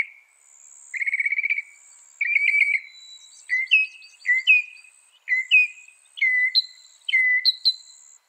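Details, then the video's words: Mimicking northern mockingbird song used as tutor material: a rattle, then a string of short varied notes, some dipping, some rising to sharper whistles, delivered about once a second against a faint high background hiss. "Masteran suara burung NORTHERN MOCKINGBIRE bisa merekam 200 suara"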